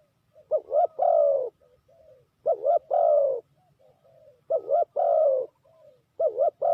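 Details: Spotted dove acting as a trapping decoy, repeating its cooing phrase about every two seconds: a quick paired coo, then a longer rich descending coo, followed by a soft trailing note.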